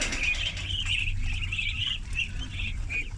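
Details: Thirty farm ducklings at feeding time; shrill peeps trill in quick overlapping bursts, a steady chorus of high chirps running throughout over a low background rumble.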